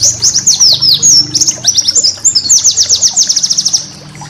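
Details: Master song of a white-eye for cage-bird training: continuous high, twittering chirps and slurred whistles, speeding into a rapid series of descending notes before fading.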